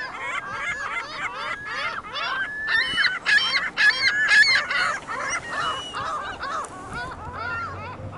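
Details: Dense chorus of gulls on a Michigan City parking lot, many birds calling at once in rapid, ragged bursts of nasal, honking cries, loudest in the middle, with a faint low hum of traffic underneath.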